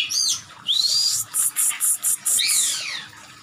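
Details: Oriental magpie-robin, worked up and aggressive with tail fanned, sings a rapid varied phrase: high sweeping whistles, a run of five or six short clipped high notes, then descending slurred notes.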